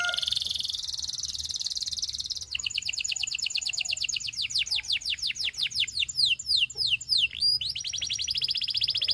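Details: Canary song that opens with a fast, buzzy high trill. It moves into a run of slurred falling notes and a few swooping whistles, then ends on a rapid rolling trill.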